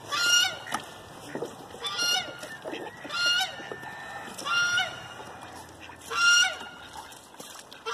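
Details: Geese mating, calling with loud nasal honks in rising bursts about every one and a half seconds, some grouped in pairs, over steady background noise.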